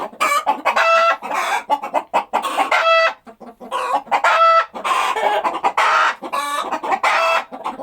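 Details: Rooster from a crowing compilation, heard here in loud harmonic clucking and cackling, bursts of short notes with brief pauses and a few drawn-out squawked notes, irregular rhythm throughout, no other sounds.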